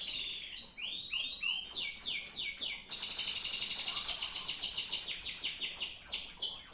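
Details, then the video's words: Canary delivering looping downward whistles, then an extended rapid high trill with rolling repeated notes, ending in more swept whistles. "kenari mirip sang legenda tc1"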